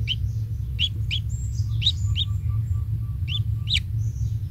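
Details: Kingfisher nestling, the only chick hatched, being given insects by the adult; paired quick rising chirps in clusters, a soft repeated ticking and high thin whistles over a persistent low rumble.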